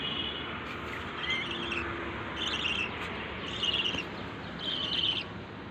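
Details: Lovebird heard more softly, making several short, high, grating chirps spaced roughly a second apart against a hissy background.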